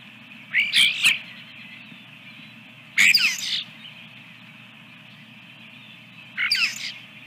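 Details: Osprey at its nest holding a second egg at Dunrovin Ranch, 24 April 2022, around 8:50 in the morning; three short bursts of high, sharp chirps spaced a few seconds apart over a steady low hum.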